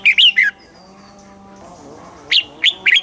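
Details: Red-whiskered bulbul in Thailand, southern master style song meant to excite birds and teach chicks: a short burst of bright slurred notes, a quiet gap with faint hum, then the start of another phrase.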